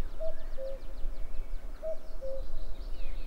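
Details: Common cuckoo calling on 11 May 2022: two clear, hollow cu-coo calls, the second note lower, spaced about one and a half seconds apart, with faint high chirps of other birds and a low rumbling background.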